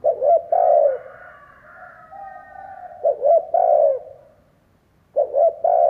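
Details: Captive decoy spotted dove cooing to attract wild doves, giving repeated low coo phrases of short notes and a longer sliding coo, each fading out, about every two and a half seconds.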